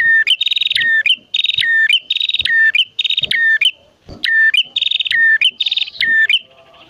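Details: Male and female bar-winged prinias singing vigorously: tight bursts of dry, buzzy trills, each opened and closed by sharp chips, follow one another almost without a break, with one short pause.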